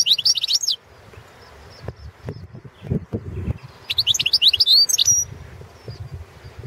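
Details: Balkan goldfinch, Carduelis carduelis balcanica, singing in a world championship competition recording: a brief twittering phrase opens, then after a pause a longer run of high, jingling chirps and trills, with low knocks in the gap.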